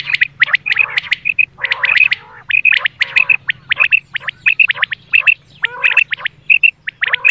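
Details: Female common quail calls for hunting: clipped high notes in quick twos and threes, mixed with harsher rasping bursts, repeated steadily throughout over a faint low hum.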